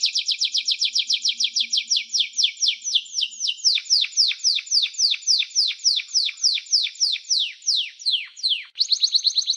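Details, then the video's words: Canary singing, a long run of rapid descending sweeps repeated about three to four per second, shifting midway to deeper, lower-reaching downward notes, then a fast high trill; no other sounds. "Canary-Canario Singing 2017(Kanarya Ötümü)"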